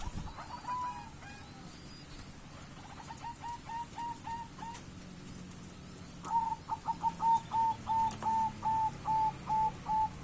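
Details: White barred zebra dove, a perkutut, calling: scattered soft notes, then a faster run of short, pure whistled notes repeated quickly and evenly toward the end, over a low hum.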